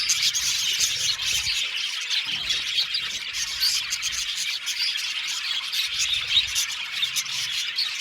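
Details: A colony of about 70 pairs of budgerigars in an aviary: dense, continuous chattering of many birds, overlapping high chirps, squeaks and warbles with no pause, plus occasional low thumps.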